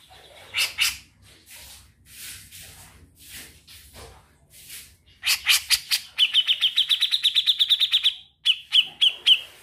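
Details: Grey-cheeked bulbul in ngetril song: soft, scattered scratchy notes build into a loud, rapid trill of around twenty evenly spaced ringing notes, ending with a few slower harsh notes.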